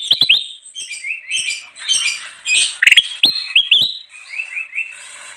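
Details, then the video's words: Energetic kutilang emas bulbul song for luring wild birds, a dense chatter of sharp chirps, scratchy buzzy notes and short rising whistles, ending in a string of repeated upward-slurred whistled notes. "suara burung kutilang emas gacor cocok banget buat pikat"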